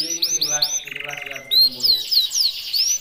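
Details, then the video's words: Red intense canary from Indonesia in fast varied song: rising chirped notes repeated several times a second, a short buzzy rolling trill, then a run of sweeping high whistles, with a faint low hum beneath. "CANARY SINGING 24"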